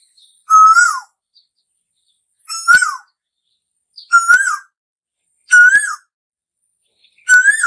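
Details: Asian koel calling, said to herald summer: five loud, clear whistled notes, each swelling and rising slightly at the end, about every one and a half seconds against a quiet background.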